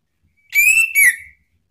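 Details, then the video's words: Male orange-headed thrush in ngeplong song, used to provoke other birds to sing: two clear whistled notes, the first long and level, the second falling away, rich in bright overtones. "ANIS MERAH JANTAN SPONTAN ikut NYAUT NGEPLONG"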